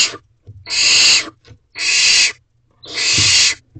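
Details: Nestling barn owls inside an owl box late at night, calling excitedly as food is dropped off: three long rasping hissed screeches, each roughly half a second, spaced about a second apart, with faint shuffling noises.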